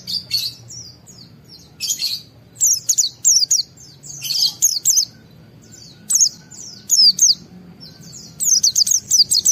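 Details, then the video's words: White-eye singing excitedly to provoke other white-eyes, with repeated short bursts of high, somewhat harsh twittering and chirps across nearly ten seconds. "Pleci Mental baja EMOSI Tinggi ampuh mancing semua pleci segera gacor buka paruh"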